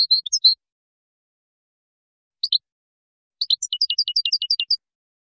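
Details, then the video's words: A Moroccan goldfinch sings in the Widani style, recorded 2019: a short twittering phrase, a brief double chip, then a rapid run of about a dozen bright, descending tinkling notes. "الحسون المراكشي الأصيلي تركيبة ويدانية"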